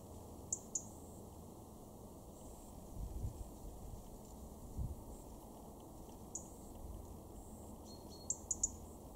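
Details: A European robin in a garden in Weener, East Frisia, northwest Germany, in October 2022, gives sparse, thin, very high ticking calls, single or paired, a few seconds apart, over steady low rumbling background noise.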